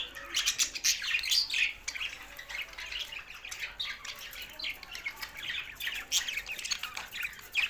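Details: Chattering budgerigars give rapid, irregular high twitters and squeaks, with scratchy warbles rising and falling steadily in loudness throughout.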